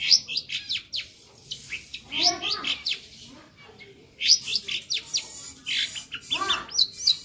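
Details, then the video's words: Long-tailed shrike in active varied song: rapid high chirps and clicks in three bursts, each with some lower buzzy slurred notes, separated by brief quieter gaps. "suara masteran burung cendet gacor ,isian hidup"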